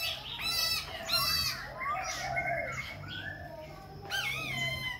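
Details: Khe Sanh laughingthrush singing and dancing with continual voice changes: loud, varied whistled phrases with rich harmonics, some rising, some falling, bursts near the start, middle and end, over a low steady hum.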